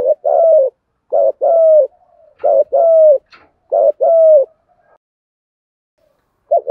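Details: Female spotted dove used as a decoy, calling to lure males in a one-ending call style: low mellow coos in pairs, a short hoot then a longer burry coo sliding down, repeated about every second and a half, no other sounds.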